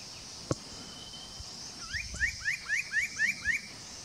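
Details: Spot-breasted parrotbill (Paradoxornis guttaticollis) at Doi Lang, Fang, Thailand, on 25 March 2017, giving a series of about seven rising slurred notes in under two seconds over steady high insect hiss.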